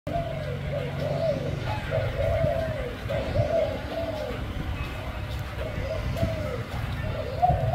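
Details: Spotted dove cooing, a series of soft, low, slightly rising-then-falling coos repeated roughly every second, over a steady low rumble and background voices.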